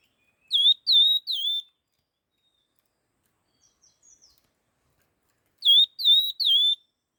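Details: Laughingthrush giving its fast 'hót kích nhanh' song: a burst of three sharp, slurred whistles, a long pause with faint soft chips, then another matching trio of bright downslurred whistles.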